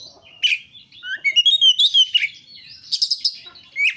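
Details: Oriental magpie-robin (kacer) singing vigorously in a rich, varied song offered as training material to prompt other kacer to sing. Sharp whistled notes, then a sweet sliding phrase and a quick burst of chirps, with short pauses between.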